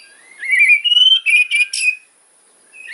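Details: Fighter-style song of a white-rumped shama meant to provoke rivals: a long rising whistle broken into a rapid series of sharp, buzzy chips, then a short pause.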